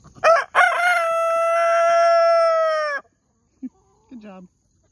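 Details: Black Copper Marans rooster crowing: two short opening notes, then one long, steady, drawn-out tone held for over two seconds before stopping abruptly, followed by a couple of faint brief sounds.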